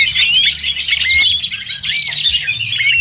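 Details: Contest oriental magpie-robins in full song, many voices overlapping: bright whistles, quick slurred rising and falling notes and scratchy chatter packed into a steady, loud stream with a low background hum.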